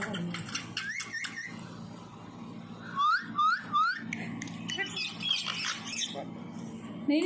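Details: Pet parrot kept at home, talking: garbled speech-like chatter at first, then three short upswept whistled notes in a row, followed by softer mixed chatter and background noise.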